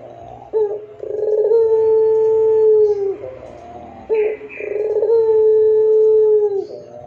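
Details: Barbary dove in pelung style, long and clear, used to train other doves: two repeated phrases, each a sharp short note, then a rough burst leading into a sustained, smooth, mellow coo of about two seconds.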